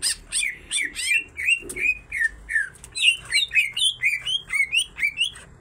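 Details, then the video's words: Female and male greater green leafbirds singing loudly, their song full of kingfisher imitations: a steady sequence of twisting, slurred chirps and whistled notes, about two per second, with high thin accents above. "full isian tengkek cucak ijo betina dan jantan sama sama gacor"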